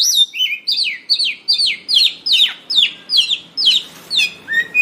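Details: White-rumped shama song used for luring and training birds: a steady series of sweeping, falling whistled notes repeated about two and a half times per second, ending on a lower rising whistle.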